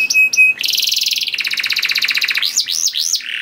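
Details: A vigorous canary sings to draw other canaries into song: two short clear whistles, a long rapid rattling trill dropping slightly in pitch, then three arched whistled notes.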